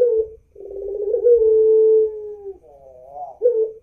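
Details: A white "pelung" Barbary dove in Pandaan, East Java, gives low, hollow coos: a short opening note, then a long drawn-out hum that wavers and rolls before a final clipped coo.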